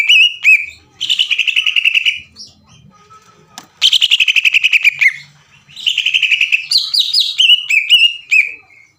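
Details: Greater green leafbird song used to provoke other birds, with long machine-gun-like chattering: rapid rattling bursts of repeated notes lasting about a second each, separated by short gaps, ending in slurred whistles.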